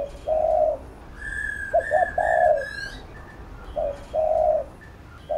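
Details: Spotted dove cooing to train a decoy bird: low drawn coos and a quick double note, while another bird gives a steady high whistled note in the middle.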